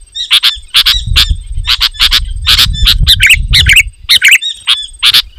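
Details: Sooty-headed bulbul giving a loud, dense challenging song to provoke rival bulbuls; repeated rasping bursts followed by short bubbling whistled phrases, over a soft low rumble.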